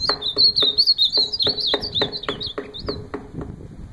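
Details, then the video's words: Ultramarine grosbeak singing a fast, wavering whistled phrase that trails off after about three seconds, with steady rhythmic low clicks throughout. "Azulão cantando top"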